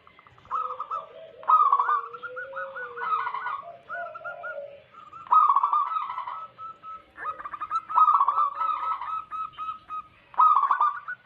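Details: Local wild zebra doves, a lure for trapping wild doves: repeated loud rolling cooing phrases with short clipped notes and lower soft calls from more than one bird.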